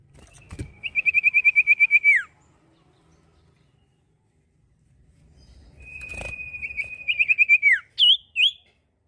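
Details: Common iora song with a sustained, fast-pulsed whistled trill on a steady pitch that drops away at the end, repeated twice, the second phrase followed by two short, higher rising-falling whistled notes; faint handling thumps in the background.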